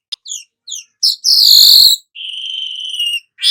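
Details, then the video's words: Golden-headed weaver song used for training songbirds: a series of short descending chirps, a loud harsh buzz, then a drawn-out steady whistle. "suara manyar kepala emas cocok buat Masteran"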